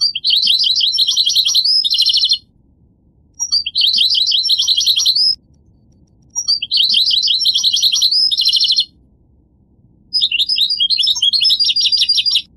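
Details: Goldfinch singing in a pleasing mix of low and high pitches: four bursts of fast, bright twittering, each about two seconds long, separated by short silent pauses, with faint low background hum.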